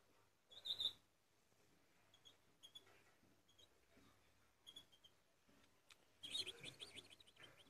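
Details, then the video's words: An eight-month-old European goldfinch gives brief, high, twittering bursts: a short tinkling phrase near the start, scattered thin notes, then a longer jumbled twitter toward the end over a faint low hum. "الجزئ الثالث للحسون 8 اشهر في السلاكة"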